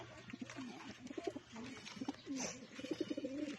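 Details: Several pigeons cooing while being fed: low, throaty, bubbling coos repeated in short runs, mixed with scattered clicks and taps of feeding.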